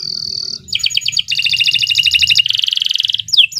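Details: Canary song used as a master recording for training young birds: a long, loud sequence of high rapid trills, each a fast train of repeated notes, shifting pitch between runs, ending in sharp sweeping notes.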